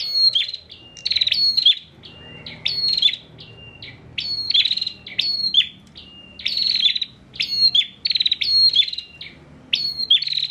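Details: Caged bar-winged prinia from Pemalang, Central Java, sings nonstop as a tutor for other songbirds: long sequence of rasping trilled bursts with sharp rising notes and interspersed short whistles, steady rhythm over ten seconds, faint low hum.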